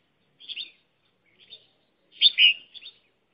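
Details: Red-whiskered bulbul serving as a trapping decoy, uttering short chirpy phrases, a soft pair first, then a louder, rich two-part warble near the end; no other sounds.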